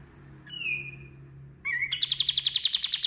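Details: Kapas tembak white-eye singing loudly as a training master for other birds: one long level whistle, then a brief upslurred note and a rapid rattling trill of even pulses, over a steady low hum.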